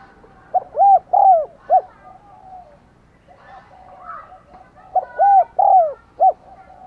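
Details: Decoy spotted dove cooing to draw in wild doves: two clear phrases of deep, arched coos with a longer falling note before a clipped end, and a faint murmur between them.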